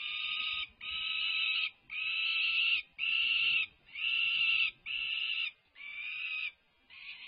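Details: UC Berkeley resident peregrine falcons calling during a feeding frenzy with tugs of war, 24 May 2024: rasping, drawn-out screeches repeated about once a second, each near a second long, separated by brief silences.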